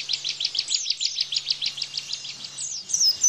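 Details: Bar-winged prinia in 'tembakan' burst style, for tutoring pleci white-eyes, rattles off rapid evenly spaced chirps, roughly five per second, then ends with high thin sliding whistles.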